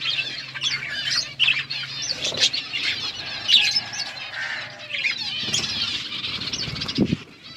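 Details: Pet budgies eating, a flock chattering in continuous high warbles and twittering chirps, with scattered sharp clicks and rustling noises, plus a low hum in the background.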